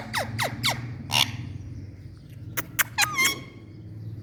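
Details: Indian parrot calling in short harsh bursts and falling squawks, several spaced notes over four seconds, with steady low hum in the background.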